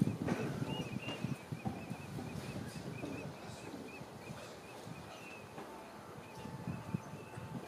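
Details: Common teal in a group courtship display at the London Wetland Centre; short, high whistled notes repeated rapidly and unevenly, faint beneath a loud, rumbling background of wind-like noise.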